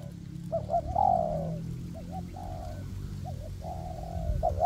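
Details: Spotted dove used as a decoy for trapping wild doves, tested in a forest: short paired hooting notes followed by a long, falling, slightly buzzy coo, repeated twice, with low background rumble.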